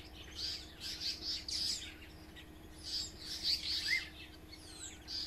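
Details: African paradise flycatchers give harsh, buzzy, high scolding bursts in quick irregular runs, several per second, over a faint steady low hum, while harassing a hornbill near their nest with chicks at Onverwags Caravan Park.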